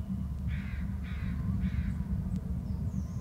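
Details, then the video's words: Eagle calling as it lands after flying in from the strait: three short, harsh, buzzy notes about half a second apart, over a loud, constant low rumble. "another eagle to ULB from the strait calls on landing"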